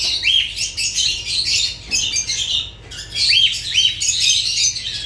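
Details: Dense, continuous lovebird chatter of high, scratchy squawks and chirps, broken by one short pause midway, over faint low hum.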